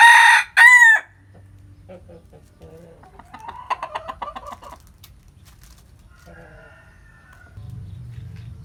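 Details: Rooster crowing in the morning in the countryside: a loud crow in two harsh, harmonic bursts with a falling end, then soft scattered clucking and quiet low clucks from nearby hens.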